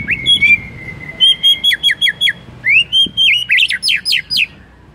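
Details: White-rumped shama singing to trigger other shamas: a long level whistle, then rapid chopped bursts of bright whistled notes, about three per second, in a quiet background.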